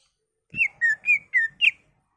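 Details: Greater green leafbird song used to stimulate other leafbirds to sing: five clear whistled notes near two to three kilohertz, alternating higher and lower, each slurred downward, evenly spaced over about one and a half seconds, with a faint low thump at the start.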